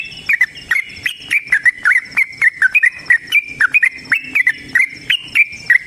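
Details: Yellow-vented bulbul in a long fighting song used as a lure: loud, steady chatter of short warbled whistles, about three notes a second, each slurring up or down.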